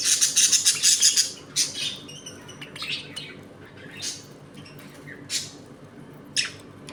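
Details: Budgerigars in a home colony, eating, playing and fighting among pairs; dense, high, scratchy warbling chatter in rapid overlapping bursts for the first second, then scattered sharp chirps and squeaky notes against a low steady hum.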